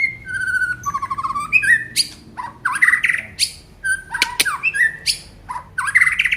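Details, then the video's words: White-rumped shama from Aceh singing a full, varied song: clear whistled notes, sharp upslurred sweeps, rattling trills and buzzy bursts in quick succession, mimic-like phrases changing every second. "FULL KICAUAN BONGKAR ISIAN MURAI BATU ACEH"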